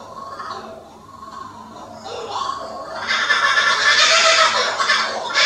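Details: Kookaburras at Toogoom start with a few hoarse, chuckling notes, then break into a loud, raucous laughing chorus that builds and grows harsher over the last few seconds.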